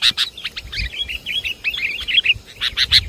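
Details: Sooty-headed bulbul lure call from Java, used to attract wild birds: rapid series of bubbly, warbled notes around mid-high pitch, interspersed with sharp chip-like clicks at start and end.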